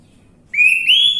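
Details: Orange-headed thrush, used as a lure recording to prompt a bird to sing: a single clear whistled phrase, rising slightly and sustained at a high pitch, over a quiet background.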